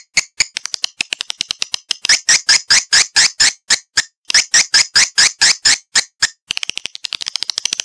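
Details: Swiftlet lure sound meant to attract a flock to a bird house: evenly spaced, sharp, high chirps repeated about twice a second, with faster, thinner clicks at the start and end.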